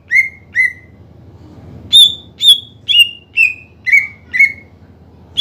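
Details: Kept greater green leafbird in energetic song, meant to provoke lazy rivals into singing; ringing whistles, each sliding down, two lower notes then a run of six higher ones easing downward, steady hum underneath.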